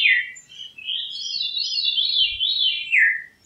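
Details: Veery song: one continuous, ringing, reedy phrase that rolls up and down in a spiral, ending with a slurred downward note. The background is quiet.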